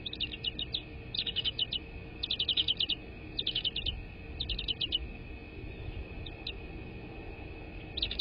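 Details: Wild American bald eagle at its nest, picked up by a live nest cam on 22 February 2024 in the evening: repeated short bursts of thin, high chittering notes in quick runs, pauses between them, against a constant background hum.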